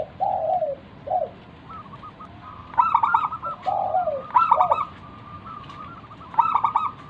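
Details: Local wild zebra dove (perkutut) used as a lure to prompt other doves to call: soft, rolling coos broken into quick staccato notes, the phrase repeated every second or two, with another dove's lower coos between.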